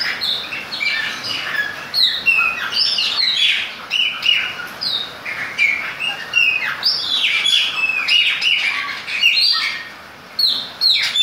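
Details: Chopi blackbird in the rain pouring out a long, varied song of whistled, slurred and rising notes, phrases following each other almost without pause over a background hiss of falling rain.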